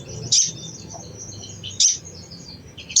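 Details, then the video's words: Crimson sunbird, or sogon, chattering to prompt other birds to sing: two brief, piercing, scratchy bursts about one and a half seconds apart over soft high twittering. "SOGON | SOGOK ONTONG | SUARA CECRETAN AMPUH MERANGSANG BUNYI SOGON BAHAN"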